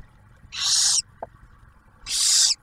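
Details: Two half-second raspy hisses with a faint tap between, from barn owls at the Ottawa National Wildlife Refuge nest camera in Ohio as the male brings food and the female shares it with the first owlet.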